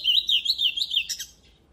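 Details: Oriental magpie-robin singing a quick, continuous warble of rolling whistled notes, training song meant to excite the voice. The phrase ends abruptly with a sharp note.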